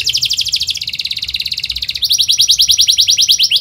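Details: Atlantic canary singing a fast, dense rolling song used as a lure to teach young canaries: rapid high trills in three unbroken phrases, each a different repeated note, the last a quick series of sweeping chirps.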